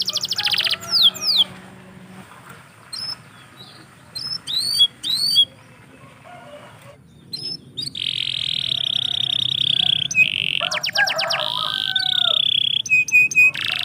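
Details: Canary singing in the morning: bursts of fast trills and downward sweeps, a pause with scattered short chirps, then a long, continuous buzzy trill with whistled notes.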